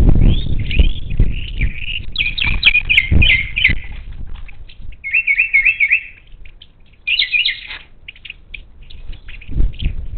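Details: Monk parakeets, wild, at a Gulf Coast feeder near Houston, Texas, 10 March 2021, recorded by a feeder camera: loud bursts of rapid, scratchy chattering notes in quick runs, a pause, then more squawky trills, with thumps and low noise below.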